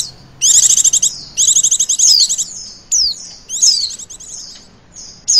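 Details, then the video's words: High-pitched rapid chattering trills from a female Oriental white-eye used as a lure, ngecir style, followed by a string of thin, downward-slurred whistles with quiet gaps between. "pancingan pleci betina ngecirrr"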